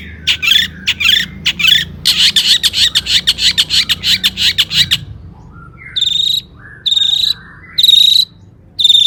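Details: Energetic long-tailed shrike song, played to prompt shrikes to sing, starting with a fast run of buzzy, scratchy notes, then a short pause and widely spaced, sharp whistled notes.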